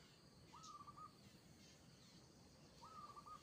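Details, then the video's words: Local zebra dove singing in the lively 'kerot' style: two short, soft cooing phrases with a slightly rising start, then a level, rapidly stuttering trill with a brief final note, about two seconds apart, over a low background hum. "Suara perkutut lokal gacor kerot"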